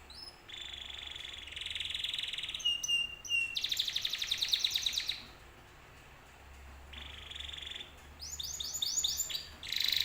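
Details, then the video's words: Canary song for luring other canaries to respond: steady rolling trills broken by short pauses, a sustained buzzy trill, then several fast descending sweeps, with faint background hiss. "PANCINGAN BURUNG KENARI 100% IKUT NYAUT"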